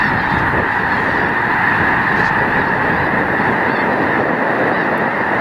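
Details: Snow geese by the hundreds of thousands at a wildlife refuge in late February, calling all at once; the result is a constant, even chorus of nasal honks with no pause, a few distinct calls briefly standing out.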